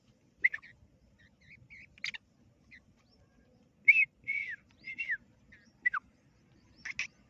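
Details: Black francolin chick calling: short, thin whistled peeps and chirps, some sliding downward, given singly or in small clusters at irregular gaps, with a faint low rumble beneath.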